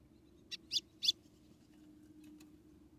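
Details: Female white-throated seedeater, Rio Grande do Norte, Brazil, calling to rouse the male: a rapid series of three high, sharp chips, each louder than the last, then quiet low hum.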